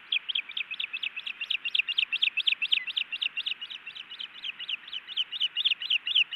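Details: Osprey at a nest in Montana on 10 May 2017, as a male delivers a large trout to the female: rapid, high, sharp chirps run about four per second in an even, excited series with no break.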